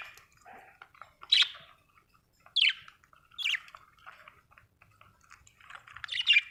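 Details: Budgerigar uttering sharp, squeaky chirps roughly every second, each note dropping quickly in pitch, with soft chatter between them.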